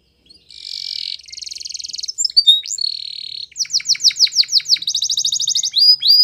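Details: Spanish Timbrado canary training song opening with buzzy rolling trills, then a steady tone, a series of repeated downward-slurred notes and a fast metallic trill.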